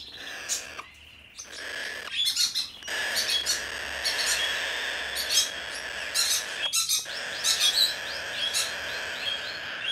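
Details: Blue-eyed cockatoo, a Japanese-bred hand-tame bird, recorded 6 December 2019: after a few short squawks, a long run of grating, raspy screeching continues almost without pause, with one brief gap near the end.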